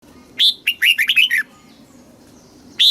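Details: Red-whiskered bulbul song from Thailand in southern master-song style, played to excite caged birds and teach young ones: one bright chirp, then a quick run of about six warbled notes, a pause, and another sharp note.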